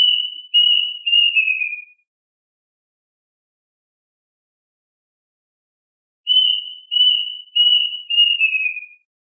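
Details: Plaintive cuckoo calling the flock with two phrases about four seconds apart. Each is three or four clear whistled notes, each note a little lower than the last. The background is silent.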